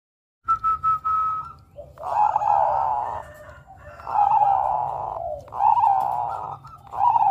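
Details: Bangkok-type zebra dove singing melodiously to draw rivals into song: sustained, slightly wavering high coos repeated in long phrases, with fainter cooing from other doves in the background.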